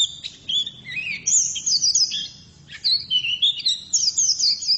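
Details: Female white-eye delivering a lively warbled song: sweet whistled notes sliding up and down, twisting trills and sharp chips in several bursts separated by short gaps.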